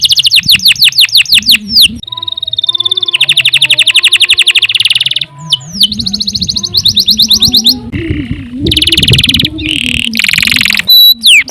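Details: Canary singing vigorously in a long song meant as tutor material: rapid rolling trills, sweeping whistled slurs and buzzy rattles in quick succession. A loud low hum runs throughout.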